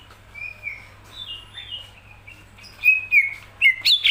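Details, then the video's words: Greater green leafbird in hobby-keeping song: soft, thin whistles at first, building into loud, sharp whistled notes with sliding pitch at the close. "cucak ijo gacoran"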